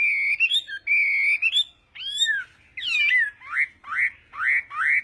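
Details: Morning voice-training song of a Chinese hwamei: long steady whistles, arching slurred notes, then four loud rising whistles evenly spaced about every half second.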